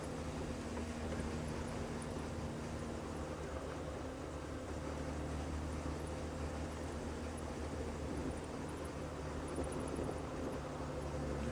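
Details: A steady engine drone, like a vehicle or aircraft, fills the recording with no animal calls.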